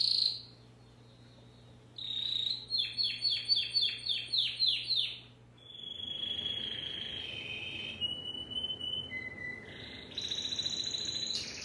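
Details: Timbrado canary singing: a high thin opening note, a pause, then a pulsing roll of about eight rapid beats, followed by long steady whistled trills that step between pitches, ending in a bright rattling tour.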